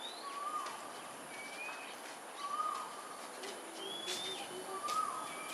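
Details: A pair of Pink-necked green pigeons foraging in Singapore at 5:18pm on 4 December 2022, giving short, slightly rising whistled notes about every two seconds, with higher thin whistles from other birds and a steady insect hiss.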